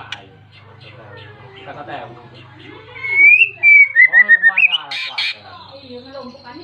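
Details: White-rumped shama singing persistently to call a rival, used to provoke other shamas into song: low hum and muffled notes first, then a clear rising and falling whistled phrase, a short run of repeated notes and two harsh bursts.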